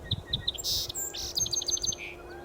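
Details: Song Sparrow (Melospiza melodia) sings: three crisp introductory notes, a harsh buzzy burst, then bright descending notes ending in a short trill, in spring in southern Ontario, near Rondeau Provincial Park, as song sparrows arrive in growing numbers.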